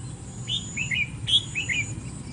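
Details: Red-whiskered bulbul, a caged bird shown outdoors on 25 August, giving short whistled phrases of sliding, warbling notes in two quick bursts over a steady low background hum.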